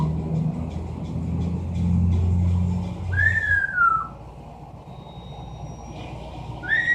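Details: Amazon parrot kept as a pet, imitating sounds indoors: after a low rumbling drone, one clear whistle slides downward, followed by a faint thin tone and the start of another rising whistle.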